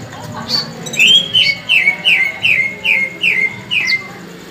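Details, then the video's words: Tame brown-breasted ninja sunbird, a caged bird kept as a tutor singer and singing persistently: a string of eight bright, sharply descending whistled notes, about two per second, each sliding down from high to lower pitch, over a quiet background. "Kolibri ninja dada coklat jinak gacor"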